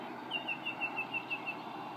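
A Yellow-breasted Chat gives a rapid series of about eight short, clear, down-slurred whistled notes at an even pace, over a steady background hiss.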